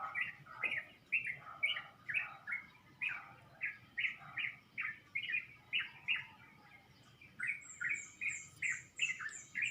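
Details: Birds chirping in a pomelo tree beside a house around 5 in the morning, before sunrise, in a dawn chorus. Bright chirps repeat rapidly, about two or three a second. Higher, thinner notes join near the end over a faint low background hum.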